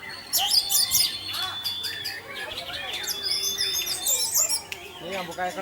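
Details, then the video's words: Orange-headed thrush, 'Tarantula' teler song used to provoke other thrushes into singing. Loud bursts of fast high trills alternate with long steady whistles and scattered slurred notes. "Pancingan Burung Anis Merah Tarantula Anis Merah Teler untuk penggoda anis lain agar ikut teler"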